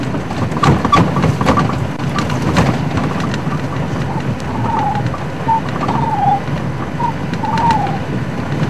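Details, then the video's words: A Ring-necked Dove perched up in a tree on a sunset drive gives its usual call, soft, mellow cooing phrases of several short notes falling slightly in pitch, a sound of hot summer days, over a steady low engine rumble. "Very often it's very hot and this thing out there that's making a noise will be the ringneck doves."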